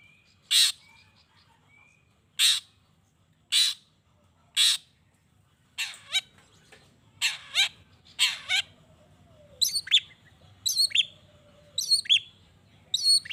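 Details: Long-tailed shrike calling to spur other shrikes into answering: four spaced harsh rasps, then quicker grating notes giving way to a varied, chattering run of sharp, squeaky phrases.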